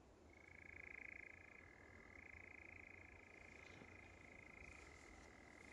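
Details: European nightjar churring at dusk on Wiggonholt Common: an unbroken, dry mechanical trill sustained for the whole stretch, wavering slightly in pitch with one brief break, over soft low wind noise.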